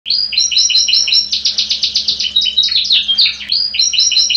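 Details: Champion canary in full song: fast rolling trills and repeated buzzy notes, each phrase repeated several times per second, with sharp whistled slurs in the middle. A faint low hum runs underneath.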